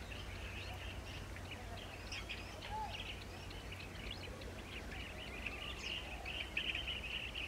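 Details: Several Blue-tailed bee-eaters calling during nesting behaviour, giving rapid overlapping trills and brief chirps that swell and fade over the seconds, with a constant low hum in the background.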